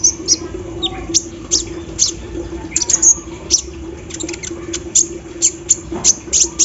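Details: Olive-backed sunbird out in the morning dew, singing its embroidery-machine style song. Irregular high chips and ticks form loose, stuttering clusters over a persistent low hum.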